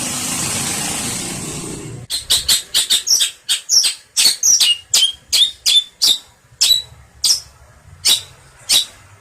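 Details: Long-tailed shrike (pentet) in a tutor recording for songbirds: after two seconds of hiss, a fast run of rasping, grating notes begins, then slows to single harsh calls about every half second.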